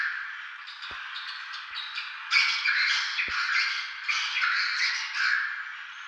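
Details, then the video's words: Swiftlets heard at Tambunan as evidence of their presence: a busy flock chorus of quick, scratchy chirps, softer at first, then louder and denser from the middle on, with two soft low thumps. "Bukti burung Walet ada dii Tambunan"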